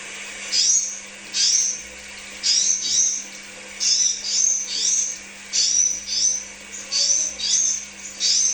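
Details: Crimson sunbird, used as a lure recording to stimulate kept birds: high, thin, sharp chirped phrases with quick up-and-down slurs, given in short bursts about once a second, with a faint steady hum behind.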